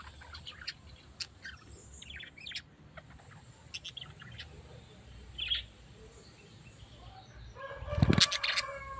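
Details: Scattered thin high tweets from a tame pet parrot lead into a loud, harsh, layered squawk near the end, with low background hum throughout.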